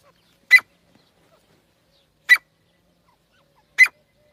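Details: A pair of partridges (teetar): three short, sharp, harsh calls, spaced about one and a half seconds apart, with silence between.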